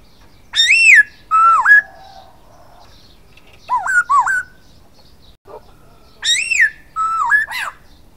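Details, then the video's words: Silver-eared laughingthrush song: an arched overtone-rich whistle, a dipping whistle, a pair of wavy upslurs, then the arched and dipping phrase again with a final rising note. "Khướu bạc má hót"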